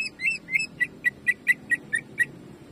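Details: Greater green leafbird in jamtrok style, a training recording: a quieter series of about ten short whistled notes, the first few slurred upward, then clipped, evenly spaced shots.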